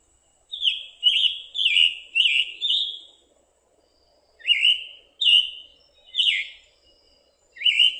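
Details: Scarlet Tanager giving its rhythmic chick-burr call, likened to a robin with a sore throat: a sharp chick followed by a rough, raspy, burry note, repeated about every second against a quiet background.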